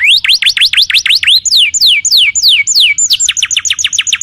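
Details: Canary singing in a masteran recording for other birds: fast v-shaped whistled notes, then slower falling slurs, then a quick run of short descending chips.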